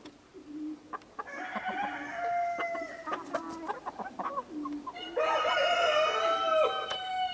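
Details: Partridge Araucana chickens cluck in quick, uneven bursts, then break into a loud sustained harmonic call near the end.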